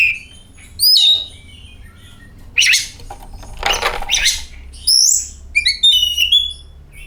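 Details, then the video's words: Song of an oriental magpie-robin, played as a lure: a whistled note, long harsh rasping bursts in the middle, and a closing run of fast, varied twittering whistles. "Pancingan Kacer"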